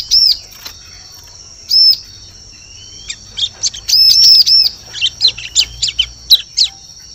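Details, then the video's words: Bar-winged prinia lure sound for forest use: two single arched high notes, then a dense burst of ringing notes followed by a run of rapid sharp chips. "Suara Pikat Burung Ciblek Cocok Untuk Memikat Di Hutan"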